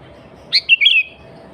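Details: Sooty-headed bulbul singing energetically, original sound without added birds, used to lure wild bulbuls and rivals: three short bright whistled notes, the first dropping, the last two slurred together, over faint background hum.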